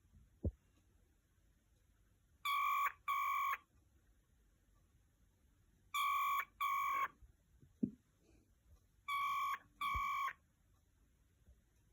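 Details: Three pairs of steady, flat electronic beeps, like a phone ringtone, repeat over a quiet room hum. A few soft knocks fall between them.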